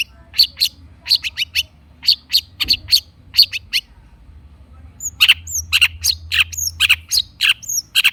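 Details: Long-tailed shrike in lively song, played as a lure to prompt stressed, silent shrikes to answer; sharp, high chirped notes in quick bursts, a pause, then a denser run of piercing chirps.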